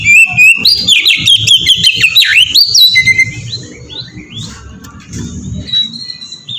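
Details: Oriental magpie-robin delivering a ngeplong-style song used as a lure for other magpie-robins; three seconds of loud rapid whistles and trills, then quieter scattered notes with a faint low rumble beneath.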